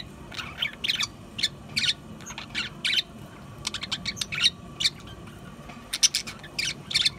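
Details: Budgerigars give clicking, ticking notes and sharp squeaks in uneven clusters, with short pauses between groups. A dull murmur sits in the background.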